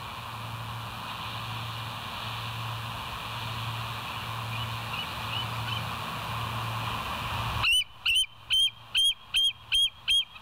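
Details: Bald eagle recorded by a live nest camera at West End on the morning of 27 September 2023, 07:02. A steady low hum and hiss run for about seven seconds, then come seven loud, high, piping notes, each roughly 0.4 seconds apart.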